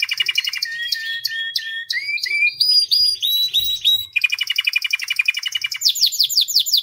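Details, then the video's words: Loud white canary song of repeated whistled upslurs and downslurs in quick series, then rapid rolling trills and high descending sweeps, a few soft knocks in between. "White Canary Singing 🎶 Kanarienvogel Gesang"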